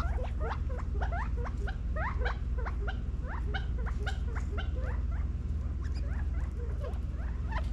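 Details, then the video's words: California quail feeding and running around in a back yard in Las Vegas, Nevada, fall 2022. Dense, continuous chatter of short rising chirps, several birds overlapping at about four notes a second throughout, over a low steady hum. "California Quail Feeding in Las Vegas NEVADA FALL 2022 quail sounds"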